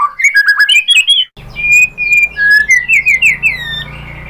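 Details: White-rumped shama lure song, used to make other shamas sing back, showing its learned mimicry: a quick chattering run, then a short break and long clear whistles with slurred rising notes over a low background hum.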